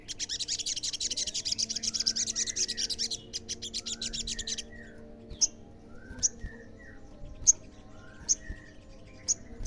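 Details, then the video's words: Olive-backed sunbird used to draw answers from other sunbirds: a dense rapid high buzzy trill for several seconds, then sparse sharp high chips about once a second with soft lower slurred whistles, low hum behind. "SEMUA SOGON PASTI NYAUT PASTI GACOR DENGAR SUARA SOGON GACOR INI"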